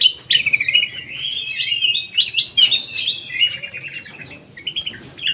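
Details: Black-crested bulbul kept in an aviary, in full lively song: a run of quick warbling, chirping phrases that rise and fall, with a constant thin high background hiss.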